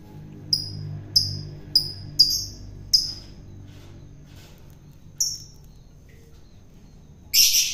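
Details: Long-tailed shrike from the wild, fed by hand to tame it: a series of short, sharp, high, down-slurred whistles about every half second, a later single note, then a harsh rasp.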